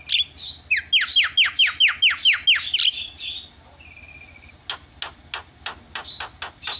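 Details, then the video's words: Recording to make a silent starling sing noisily: a rapid run of sharp falling chirps about three per second, a brief thin whistle, then spaced dry clicks and squeaks. "SEKALI PENCET JALAK LANGSUNG PADA CEREWET"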